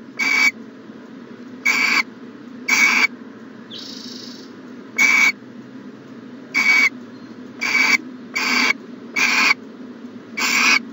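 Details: Owl in a nest box during a January 2020 morning, giving about ten short, harsh hissing bursts at irregular intervals, plus one softer, muffled hiss, against a low humming background.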